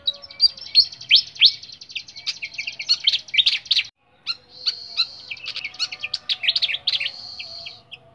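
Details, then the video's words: Flycatcher in a cage delivering a long, rich, high warble of rapid chirps, trills and upward-sweeping notes, broken by a brief pause, then resuming in a dense, lively stream. "BURUNG SIKATAN SUARA JERNIH"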